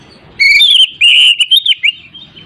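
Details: Oriental magpie-robin whistling, used to provoke a non-singing bird: a clear high whistle gliding into a warbled, wavering phrase ending in short chirpy notes.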